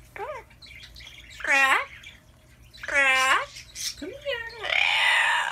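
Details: Pet Amazon parrot chattering indoors: loud, rich, speech-like phrases with swooping rising and falling tones, four bursts separated by short pauses, closing in a harsh, noisy squawk.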